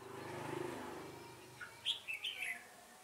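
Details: Red-whiskered bulbul singing during bulbul trapping on 15 September 2018: a short burst of bright chirped notes near the end, after a low humming background.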